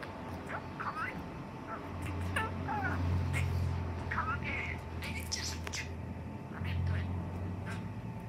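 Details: Pet male budgerigar, four years old, kept indoors in Mie Prefecture, Japan, chatters in Kansai dialect copied from its owners: short twisting warbled notes in quick irregular bursts over a steady low room hum.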